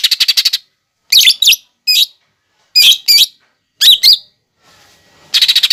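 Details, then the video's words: Lesser green leafbird (cucak ijo) on a masteran featuring imitated fighting sparrow, lovebird and sunbird: a fast trill of staccato chips opens and closes, with shrill paired chirps and squeaky upslurred notes between. "MASTERAN CUCAK IJO GACOR BONGKAR ISIAN GEREJA TARUNG,LOVEBIRD,KOLIBRI"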